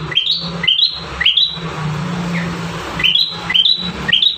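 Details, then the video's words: Energetic bar-winged prinia song meant for training caged birds: bright rising whistled notes in two quick bursts of three, separated by a short pause, over a low steady hum. "Burung prenjak tamu gacor 5 variasi mantap jiwa"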